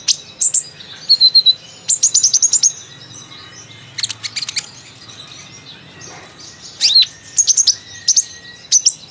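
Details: Chatty kolibri ninja sunbird, described as singing its fill-in phrases: bursts of rapid, very high ticking notes mixed with thin whistled slurs, in clusters separated by short pauses, over faint background noise.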